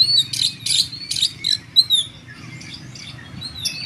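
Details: Oriental magpie-robin in tembakan-style song: several quick bursts of bright chirps and whistles in the first two seconds, then only faint scattered notes over a low hum.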